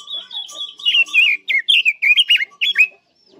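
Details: Chinese hwamei song for luring birds into a trap: a soft trilled whistle builds into a series of loud, strongly inflected whistled notes repeated about every fifth of a second, then falls silent.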